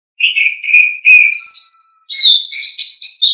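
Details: Loud song from an Asian pied starling for tutoring pet birds: a few lower whistled notes, then higher squeaky phrases and a burst of mixed chattering notes, crisp and close.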